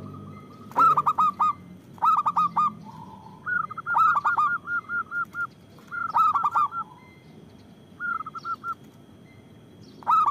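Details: Local zebra doves calling steadily, a recording meant for luring, provoking and training other doves. Repeated stuttering coo phrases come every two seconds or so, some at slightly different pitches, over a faint low rumble.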